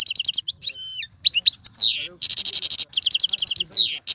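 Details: European goldfinch song for prompting a pet goldfinch to sing: quick chattering notes, a couple of drawn-out whistled notes, sweeping slurs and a long rattling buzzy trill.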